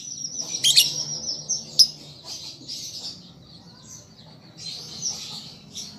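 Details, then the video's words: Juvenile lovebird practising song: soft, high squeaky twitters with two sharp louder chips, fading to quieter chatter, over low background hum. "Pancingan Lovebird Paud Belajar Bunyi Ampuh Langsung Nyaut"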